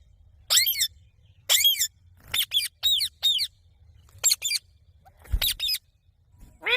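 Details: Parrot producing repeated shrill, downward-sliding screeches, single and paired, about one per second, with a soft low background rumble.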